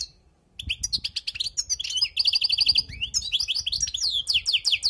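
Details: European goldfinch singing wild-type song for tutoring, starting after a moment of quiet into a quick, bubbling sequence of high tinkling notes, including a run of rapidly repeated identical chirps and descending slurred twitters.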